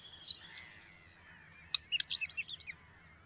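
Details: Northern wheatear (Oenanthe oenanthe), song.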